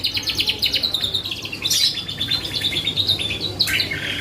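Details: Vigorous canary song played as a lure to trigger other birds to answer, with rapid repeated chirps and a sustained high trill, a brief sharp rising note near the end, over a faint low hum.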